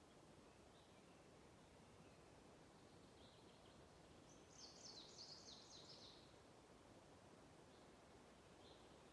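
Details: Greenish warbler joining a singing wood warbler at Fummelråberget, Edsgården, Timrå, 31 May 2021: one quick, high, jumbled warbling phrase midway with faint high notes around it, over steady rushing background noise.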